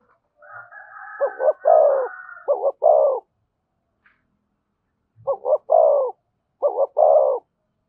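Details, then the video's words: Spotted dove singing thổ voice coos with thúc and kèm: phrases of two short notes and a long coo. It opens with overlapping higher drawn-out calls, then a pause, then two cleaner phrases. "tiếng cu gáy giọng thổ thúc và kèm hay nhất"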